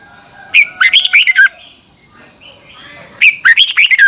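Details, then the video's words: Red-whiskered bulbul song from Thailand, meant to stimulate caged birds: two quick warbling phrases of sweet whistled notes separated by a short quiet gap, with a steady high electronic hum. "เสียงนกกรงหัวจุก สำหรับต่อ หรือ เปิดให้นกคึก เสียงเพราะๆ ฝึกหงอนเป็นเวลา"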